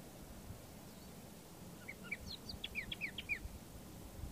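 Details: A Layard's warbler (tit-babbler) sings from the top of a bush near Hanover: a quick phrase of about a dozen bright, chippy notes lasting under two seconds, over a steady low rumble of wind or distant traffic.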